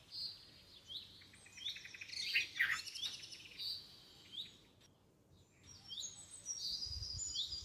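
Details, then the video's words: Red-vented bulbul babies fed by their parent in a home garden, captured on a phone: bursts of shrill, overlapping high chirps and squeaky sweeps, a short lull, then another excited burst. "Red Vented Bulbul bird feeding to babies | Bulbul chicks"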